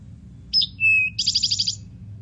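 Eastern Towhee song: a sharp high note, a lower held whistle, then a quick rattling trill, the familiar drink-your-tea pattern, over a faint low hum.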